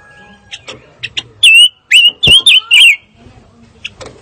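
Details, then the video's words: Fire-tailed myzornis giving a series of loud, wavering whistled notes in quick succession, each with a rippling up-and-down shape, with soft faint chirps before and after. "Kicau Burung Pancawarna"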